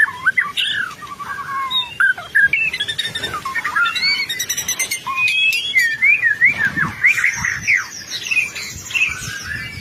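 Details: White-rumped shama in full song, used as a lure to make other shamas respond: varied clear whistled slurs rising and falling, interspersed with rattling notes and high trills, over faint background hiss.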